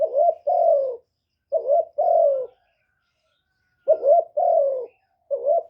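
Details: Spotted dove decoy bird giving its lure call to attract and stimulate wild doves, recorded without background noise: mellow low coos in two-part phrases, a short hooked note then a longer falling coo, repeated about every two seconds.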